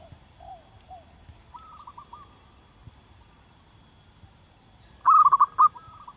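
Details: Wild local zebra dove singing vigorously: soft, distant cooing notes and a faint trilled phrase give way to one loud, rapid, bubbling coo phrase near the end, over a faint steady high hum.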